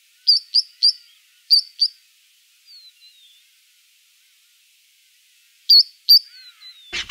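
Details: Three-banded plover (Charadrius tricollaris) in Kruger National Park gives sharp, high piping notes in quick pairs, with thin, fainter whistles between them; a brief knock ends the recording.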